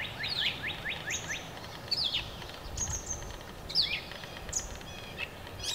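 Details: Mallard hen accompanied by seven ducklings; a rapid run of sharp, high descending peeps opens, followed by scattered single thin peeps and short whistled notes every second or so against constant outdoor noise.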